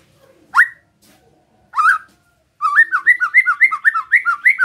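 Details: White-rumped shama singing besetan to excite other shamas: two loud rising whistles spaced apart, followed by a steady, rhythmic series of paired upslurred notes repeated about five times a second.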